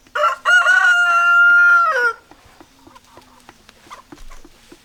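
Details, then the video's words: Rooster crowing: one loud crow lasting about two seconds, opening with short broken notes, then holding a steady, ringing pitch before dropping off, followed by quiet scattered clicks and faint clucking. "Chicken Sounds Noises Hens Clucking Roosters Crowing"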